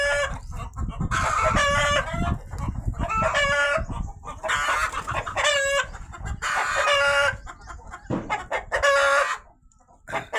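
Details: Rooster crying out repeatedly after a hen laid eggs. Loud, ringing, strongly harmonic calls come about every two seconds in a steady series, with a man speaking between some calls.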